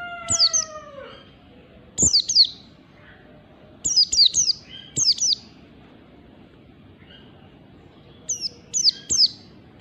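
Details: Oriental white-eye singing its ngalas song style in the morning, a lure recording used to train birds: short bursts of two or three high, sharply descending chirps, repeated every two seconds or so with quiet gaps between.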